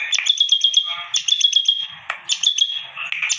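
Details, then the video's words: Bar-winged prinia, a caged bird in full song with an unusual voice, giving bursts of rapid high ticking notes over a steady thin whistle, each burst about a second long and opening with a sharp downward note. "BURUNG CIBLEK GACOR SUARA ANEH"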